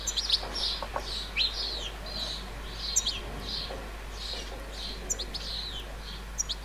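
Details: A juvenile European goldfinch in a countryside flower bed in central France, 30 July 2019, gives a quick, tinkling run of high chirps and short upward-sliding notes, several each second, over a faint low rumble.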